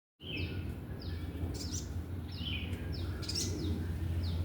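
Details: Wild sooty-headed bulbul that keeps coming close, as if asking to be lured: short high whistled notes sliding downward, repeated in quick uneven bursts over a steady low rumble of wind or background noise.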